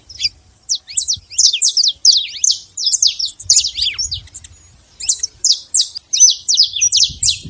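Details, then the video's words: A free-living saffron finch in nature delivers rapid high chirping notes in bursts separated by brief gaps, sharp and downward-slurred, over near-silent background. "canário da terra livre na natureza"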